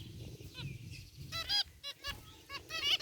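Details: Zebra finches chirping in their aviary, white and gray varieties: a few soft beeps, then loud nasal honking calls roughly every half second, harmonics stacked high, over faint low background hum.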